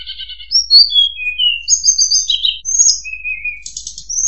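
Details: Tledekan gunung, a flowerpecker, played as a trapping lure: continuous high-pitched twittering of short whistled slurs, falling notes and buzzy bursts that follow each other rapidly with no pause.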